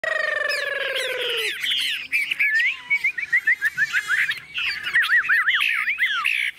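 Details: Tame caged Chinese hwamei, newly arrived and unafraid of people, singing from a hand-carried cage: a low falling harmonic note opens, then loud varied whistles with rapid wavering trills and looping, up-and-down phrases.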